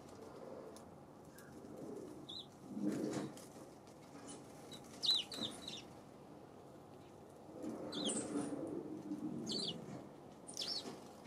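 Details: Scattered brief high chirps of a Eurasian tree sparrow, recorded 7 February, some in quick doublets, mixed with soft rustling and fluttering bursts against steady low background noise.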